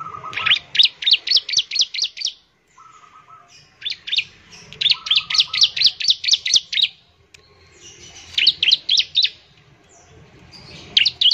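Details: Bar-winged prinia singing to prompt other birds of its kind to sing: bursts of rapid high chips, seven to nine per burst, separated by short pauses, with a brief lower whistled note between some bursts.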